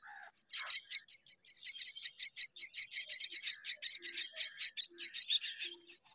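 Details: A pair of mynas raising babies; a dense, fast series of harsh, high chirps bursts in after a brief pause and continues almost without break, with a faint steady high tone behind.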